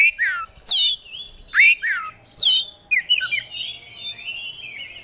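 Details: Oriental magpie-robin, a contest songbird, singing vigorously: three loud, sweeping downslurred whistles about a second apart, followed by a tumbling warble of quieter whistled notes.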